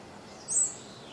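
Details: A white-barred piculet (Picumnus cirratus), recorded 7 September 2017, gives one thin, very high, brief note over a soft background hiss.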